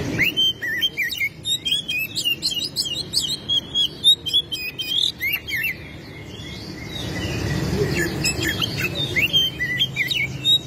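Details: Oriental magpie-robin, tail spread, delivering long runs of varied whistles, chips and slurred notes, pausing briefly before resuming, with a persistent low rumbling noise underneath.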